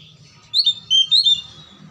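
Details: Oriental magpie-robin singing, played to coax stalled, quiet magpie-robins into lively song: a short burst of thin, high whistles with bright slurred notes, a low hum underneath.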